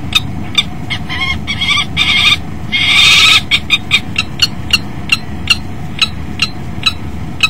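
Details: Common kestrels copulating at a nest box in February, morning; several buzzy, wavering calls, one loud drawn-out harsh note, then a steady series of short dry ticks roughly three per second over faint hum.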